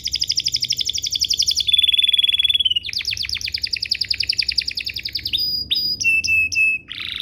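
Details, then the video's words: Canary song as a lure for other canaries to reply: a long rapid trill, a steady held buzzy note, further fast trills, then several clipped whistles and a final harsh rolled phrase. "Pancingan Burung Kenari agar CEPAT BUNYI, terbukti ampuh bikin burung kenari lain nyaut"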